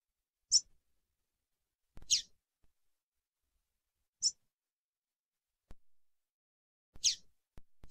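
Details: Single-note calls of a female coleiro (double-collared seedeater), used to stir up a male: four brief, high, squeaky chips spaced about one to three seconds apart. Soft clicks can be heard in the quiet gaps.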